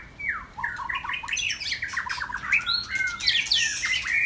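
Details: White-rumped shama singing on a Saturday afternoon: a rapid stream of varied whistled notes, sliding rises and falls, with short harsh squawky elements woven in and higher thin notes above.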